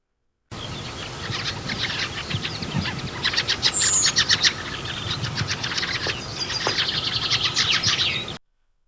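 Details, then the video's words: Fieldfares, winter visitors to the UK from Scandinavia and Iceland, giving their distinctive loud chuckle: harsh chack-chack calls in rapid, uneven bursts, several birds overlapping, with a higher thin note or two mixed in. "One distinctive feature about the Fieldfare is its call, which is quite a loud chuckle, and here it is."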